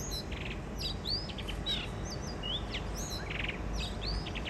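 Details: Wild mated pair of blue rock thrushes at a Shonan balcony in Japan, spring 2023, giving their first song of the year: lively whistled phrases of rising and falling slurs broken by short buzzy notes, over low background rumble.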